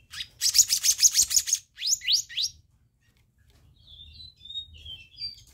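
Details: Black-naped monarch lure audio: a rapid series of about eight harsh, buzzy notes, then three quick rising whistles and faint, thin, high notes trailing off.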